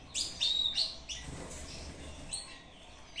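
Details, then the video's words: Ultramarine grosbeak of the Brazuca line, in a short competition song against a recording: two clear whistled notes with sharp onsets, then softer chirps over a hiss of background noise. "Azulão BRAZUCA disputando com vídeo. Canto curto pra roda."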